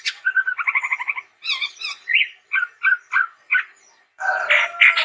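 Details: Chestnut-rumped babbler with a rapid buzzy trill, then a series of evenly spaced whistled notes and a final harsh chattering burst.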